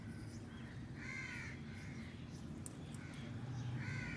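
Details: Outdoors under the sky, pet Alexandrine and rose-ringed parakeets eating a meal let out two loud, grating squawks, one early and one at the end, with softer rasping calls between and a steady low rumble beneath.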